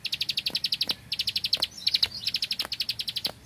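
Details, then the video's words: Rice-field Bar-winged prinia in full vigorous 'klik klik' song, machine-gun 'tembakan bren' style: almost unbroken strings of fast, high, clicking notes, with a few brief gaps and occasional sharp ticks. "Prenjak Klik Klik Burung Sawah Gacor Tembakan Bren"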